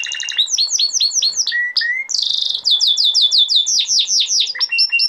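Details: Male canary singing a teaching song for young canaries: fast rolling trills of repeated high notes, a clear sustained whistle, then dense buzzy tours, loud and continuous.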